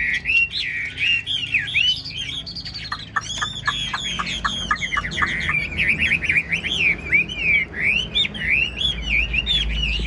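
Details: Caged Chinese hwamei, tame enough to sing on the move, delivers a long stream of rising and falling whistles, a burst of sharp rapid clicks mid-phrase, then looping fluty notes; low rumble grows at the end.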